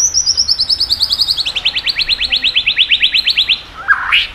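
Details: White-rumped shama in strong song aimed at rousing subdued birds: a long, fast, even trill of about thirty high notes that slowly drops in pitch, ending with a short harsh note.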